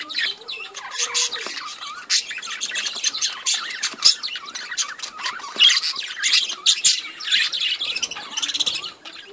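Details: Budgerigars in a breeding colony keep up dense, continuous chatter: bright squawks, scratchy chirps and warbled twitters overlapping without pause from many birds.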